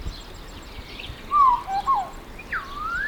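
São Tomé Oriole giving a few liquid, fluty whistles around mid pitch, with a short slurred phrase and a rising whistle at the end, over faint background hiss.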